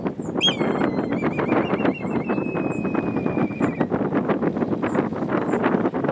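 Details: Black kite, a bird seen year-round in Sapporo, Japan, singing: a sharp high note falls into a long thin steady whistle held about three seconds with a slight quaver at the end, over constant loud rushing noise.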